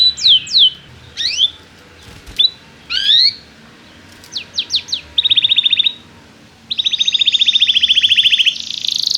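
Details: Canary song used to prompt young canaries to learn singing: sharp down-slurred whistles, then a fast buzzy trill and a long dense rattling roll, all high-pitched.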